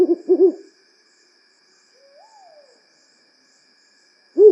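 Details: African wood owl, a medium-sized nocturnal Strix owl of African woodland: a short run of low hoots, a long quiet gap with a faint soft upslurred note, then one more hoot at the end.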